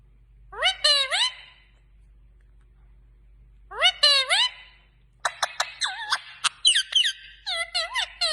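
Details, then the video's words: Indian ringneck parakeet indoors giving two bursts of rising, wavering, harmonic notes like short mimicked phrases, then a rapid run of sharp clicks and squawky chatter. "Indian Green Ringneck Parrot ||Adorable Parrot Parrots Lover || Parrots Talking"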